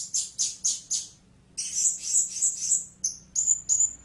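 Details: Four harsh, high chirps from a blue-crowned hanging parrot, then a quick string of sharper squeaky notes ending in thin, piercing whistles.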